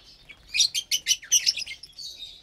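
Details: Several caged lovebirds eating a Saturday morning meal of vegetables and mixed seeds: a burst of rapid, shrill high chirps and squeaks, overlapping and uneven, fading into softer twitters.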